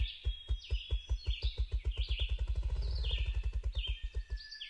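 A male Ruffed Grouse drums with deep, muffled wingbeat thumps that speed up into a rapid roll, while other songbirds chirp high above.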